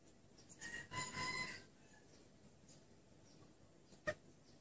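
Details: Female red junglefowl calling to attract males, used as a lure for wild cocks; one clear, nasal, harmonic call of about a second, then quiet with a single sharp click near the end.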